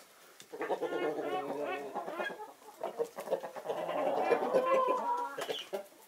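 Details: Mixed flock of Naked Neck, Marans and Easter Egger chickens basking in winter sunshine, producing a busy stream of layered clucks and wavering, nasal murmurs that build and stay loud toward the end.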